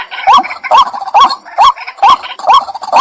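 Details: Loud, evenly paced upslurred calls from a White-breasted waterhen, six or seven nasal notes in quick succession, each starting with a sharp knock.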